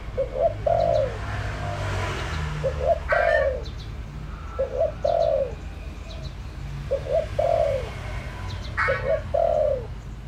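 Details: Lure calls from a decoy spotted dove: five evenly spaced coo phrases, each a double short note and a longer mellow coo, with occasional sharp clicking noises between them.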